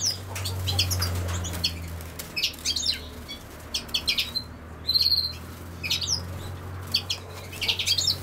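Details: European goldfinch, linked to common sowthistle, giving sharp, high chirps in quick groups and one drawn-out thin note, over a steady low mechanical hum.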